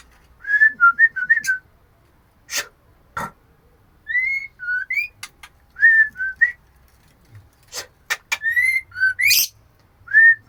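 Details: Female oriental magpie-robin calling the male: short clear whistled notes, some rising, others falling, in brief bursts with pauses, mixed with sharp clicks and snaps.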